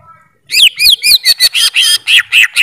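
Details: Greater green leafbird singing a short burst of loud, harsh, downslurred notes, each rich and buzzy, given in quick succession for about two seconds.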